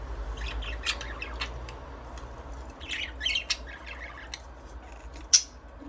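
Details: Budgies chirping intermittently, short scratchy notes and squawks spread across the recording, ending with a single loud sharp chirp, over a low background hum.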